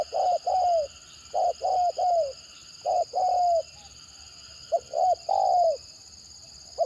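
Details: Stammering 'gagap' cooing of a spotted dove: rapid short coos run into long falling notes, phrases following closely, with a constant high tonal hum behind.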